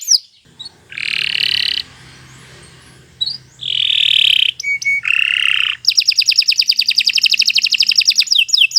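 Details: Canary (Kenari) training song with broken phrasing: short harsh buzzy bursts separated by quiet gaps, a brief clear whistle, then a fast, bright, evenly pulsed trill to the end.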